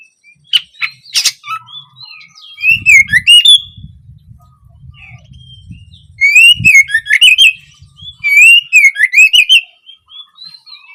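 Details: Oriental magpie-robin song meant to stimulate juveniles to sing: a few sharp chips, then three bursts of fast slurred whistles and clicks about three seconds apart, with faint low thumps in the background.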